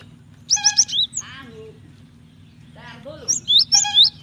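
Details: Female cinereous tit calling the male to provoke him into song: quick bright chirps, then a lower nasal, buzzy note, then another run of high whistled chirps with sliding pitch.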